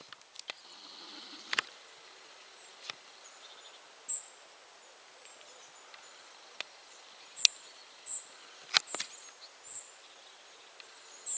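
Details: Willow tit in Poland giving thin, very high, short notes, singly or in pairs, every second or two, among sharp clicks and a quiet outdoor hiss; its distinctive tchew-tchew call separates it from marsh tit.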